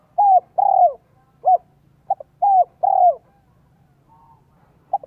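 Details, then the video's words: Spotted dove from Vietnam, a decoy bird whose voice style is called 'giọng son 1 cốt lỡ', cooing to lure wild doves: mid-pitched, slightly falling coos in short groups with brief clipped notes between, separated by pauses, on a quiet background. "CHIM CU GÁY GIỌNG SON 1 CỐT LỠ KÍCH BỔI NHANH NỔI HIỆU QUẢ NHẤT"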